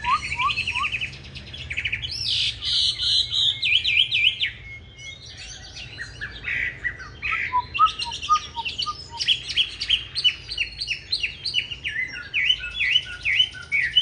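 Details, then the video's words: Green-bean-eye Chinese hwamei singing its fighting song for training other hwamei toward a smooth, non-harsh song: three low notes, a long falling whistle, varied warbles, a run of soft low notes, then dense rapid whistled phrases. "Họa Mi Mắt Lục Đậu Thanh Hót Đấu ( Dùng luyện Mi hót bài êm không gắt )"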